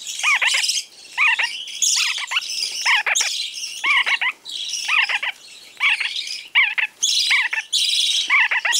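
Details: Lineolated parakeet, described as lively and rare, recently arrived at a pet shop: rapid series of short, chirpy two-note calls repeated in bursts over a steady hiss.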